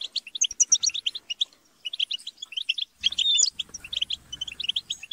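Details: European goldfinches in group chatter and squabbling, used to stimulate a kept goldfinch to sing; dense, rapid high tinkling twitters and buzzy chirps in overlapping bursts, a brief lull near the middle, then a short low thump before the chatter resumes.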